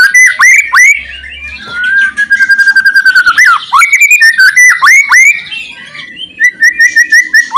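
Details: White-rumped shama song with loud rattles, used to make silent shamas sing: clear whistles around the same pitch, repeated downward-slurred notes and fast chirping bursts, nearly three per second.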